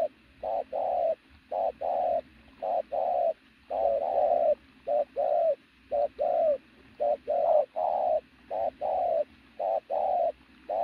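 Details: Strongly built pigeon cooing loudly and continuously. Rapid series of short and long low coos, nearly one per second, with short gaps between the notes.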